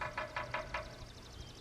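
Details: A woodpecker in dry forest beside a backyard aviary hammers wood in five sharp knocks about one-fifth of a second apart, then fading echoes, over a low engine-like hum, on a calm day. It starts banging around 5:30 each morning.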